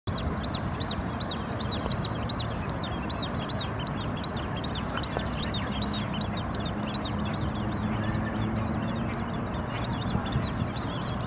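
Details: A White Wagtail (Motacilla alba) foraging on the shore in Helsinki, Finland, in June 2016 gives a quick run of high, arched chirps, roughly three a second, over a steady rumble of surf and wind.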